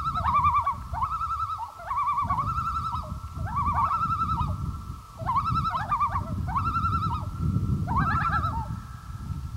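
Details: Loons calling on Gavia Lake in 2011, a run of closely spaced quavering, yodel-like bursts of fast wavering notes, with a steady low rumble throughout.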